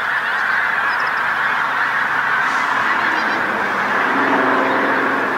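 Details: Pink-footed geese, a large flock landing on a field beside a coast road at sunset on the North Norfolk coast, England; dense continuous chorus of overlapping high honking calls, a steady wall of goose voices with no pauses.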